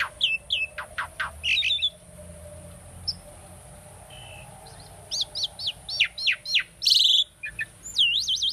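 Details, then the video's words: A tame pet Asian starling sings a training song: a varied, jumbled run of sharp whistles, rising chirps, rattles and squeaky notes, some in quick bursts with brief pauses between phrases. "asian starling singing"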